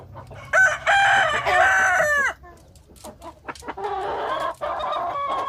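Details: Village rooster crows a loud harmonic cock-a-doodle-doo ending in falling notes, followed by sharp clicks and a second, lower drawn-out call from another fowl.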